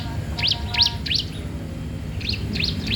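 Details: Bar-winged prinia singing in full voice, recorded for tutoring and luring untrained prinias: short, sharp, high chirps in quick bursts, a pause, then another run, over a steady low rumbling hum.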